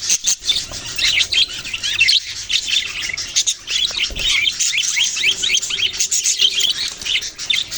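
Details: Budgerigar flock chirping: quick, rising and falling high notes pour out almost without a break, a lively overlapping twitter.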